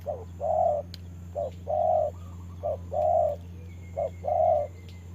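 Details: Spotted dove decoy bird used for trapping, dueling with a wild bird in the rain; paired coos, a brief note then a longer mellow coo, three pairs in five seconds over a steady low hum.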